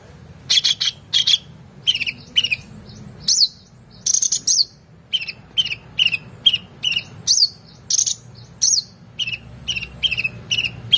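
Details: Oriental magpie-robin in full, energetic song used as a tutor recording for competition birds: loud, clipped whistled and chattering phrases repeated roughly every half second to second, a steady thin high tone underneath, low background hum.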